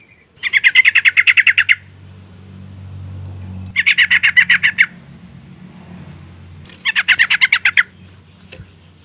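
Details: Female yellow-vented bulbul calling to lure and provoke a male: three bursts of fast, harsh, bubbling chatter, each about a second long, separated by pauses of roughly two seconds, over a low steady hum.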